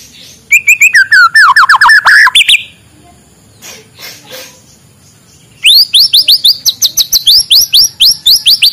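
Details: Morning song of a white-rumped shama, used to prompt quiet birds to sing: loud bursts of rapid, sharp, high whistled notes. A quieter pause with faint rustling follows, then a fast run of repeated rising whistles.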